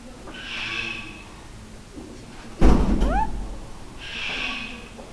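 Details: Captive black-collared starling, Almaty Zoo, Kazakhstan, February 19, 2012: two broad, scratchy rasping calls about three seconds apart. Between them come a loud thud and a brief upward-sweeping whistle, recorded indoors.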